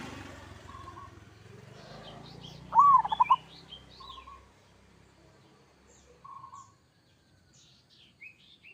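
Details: Local zebra dove delivering a 'kerot' style song meant to make listening doves answer: one loud arched coo with a rapid stuttered tail, soft coos before and after, and thin high chirps from other small birds.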